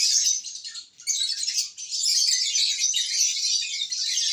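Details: Lovebirds in a happy mood on June 1, 2022, giving a dense, hissy, very high twitter that dips once near the start and then runs on without a break.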